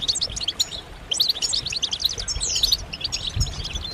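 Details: Several European goldfinches giving mating and readiness calls used to stir males into singing: crisp, high chattering bursts and tinkling notes in quick clusters, one clear downslurred whistle, and a faint low knock near the end.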